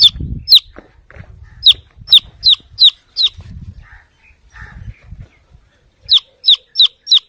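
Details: Chick calling for its mother hen with bursts of shrill, descending peeps in quick runs, broken by low thumps and rustles in the middle of the recording.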